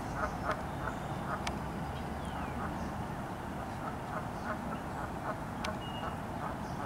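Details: Geese calling, short nasal honks repeated roughly every half second across the whole stretch, some faint and distant, over a steady low rumble of background noise with a few sharp clicks.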